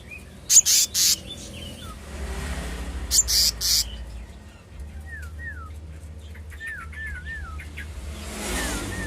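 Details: Black-naped monarch calling: a series of clear downslurred whistles, each curling slightly at the end, given singly and then three in quick succession, after loud sharp knocking sounds and under a low background hum.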